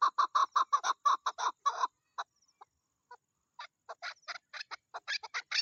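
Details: Female chukar partridge in the breeding season: a rapid loud string of coarse chuk notes, a short pause with scattered faint clucks, then thinner, higher-edged notes resuming.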